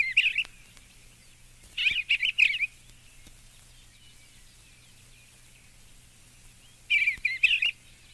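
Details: Eastern Bluebird song from an album of eastern bird songs: short warbled phrases of soft, slurred whistles in bursts of two to three notes, separated by pauses of several seconds, with a faint low hum.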